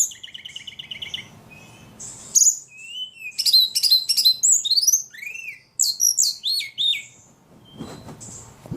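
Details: Ledekan in very lively voice: a repeated chirp series, then dense bursts of high chattering notes and arched whistles, ending quietly with a soft low rustle.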